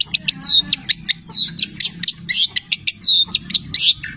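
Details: Long-tailed shrike in lively song with canary and labet imitations: a varied jumble of clear whistled slurs, short chips and buzzy notes, switching quickly from one to the next.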